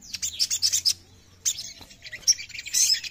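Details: Oriental magpie-robin, a sogon bird, singing to prompt others to call: quick, high-pitched chattering chirps in clusters, a short gap, then more varied bright twitters and squeaky notes.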